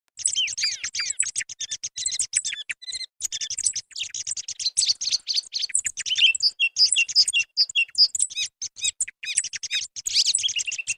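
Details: Song thrush (Turdus philomelos) song used as a hunting lure: a dense, rapid stream of high, clear chirps and flute-like notes, with short phrases following each other almost without pause.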